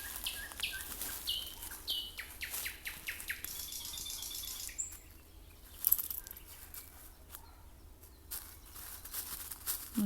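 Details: Common Nightingale singing on an evening walk: a run of sharp repeated chirps and short whistled notes, high-pitched and loud over the first few seconds, then quieter scattered notes with light rustling and a faint low hum.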